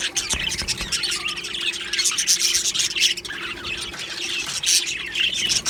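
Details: Australian budgerigar colony in an aviary, described as happy, filling the air with steady high chattering and squeaky chirps, several birds calling over one another.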